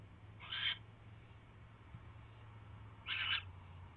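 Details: Two short, rough hissing bursts from an owl catching a mouse on the night of 28 January 2016, about two and a half seconds apart, over noticeable low hum and background noise.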